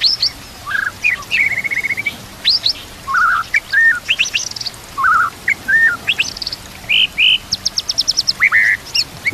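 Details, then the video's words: Varied white-rumped shama song meant for coaching other shamas, mixing kapas tembak and cililin canary phrases: loud separated whistles, level and sliding, with sharp high notes and a quick rattling burst near the end. "MASTERAN MURAI BATU ISIAN KAPAS TEMBAK KENARI CILILIN"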